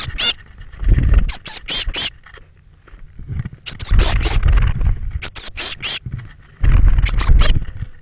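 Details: Young Eurasian blue tits calling as thirteen chicks leave their nest box between 06:00 and 08:00 on 21 May 2017. Rapid, high squeaks come in groups of three to five, mixed with rustling and scratching noises.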